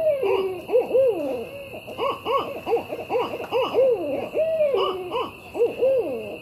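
Barred owls give a rapid, overlapping run of wavering, rising-and-falling hoots, almost cackling, over a faint steady high hum.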